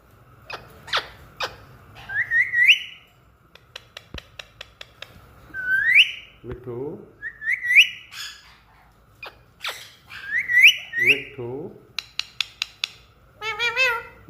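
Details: Pet talking parrot imitating a cat's meow: rising, whistled meow-like calls repeated several times, mixed with sharp clicks, short ticking runs and a warbling phrase near the end.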